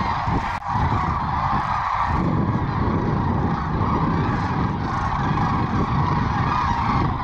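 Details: Large flock of sandhill cranes, roughly 750 to a thousand, flying in to land around lunchtime after feeding, Willcox, Arizona, late winter into spring; steady massed rolling calls throughout, a brief knock near the start, wind rumble beneath.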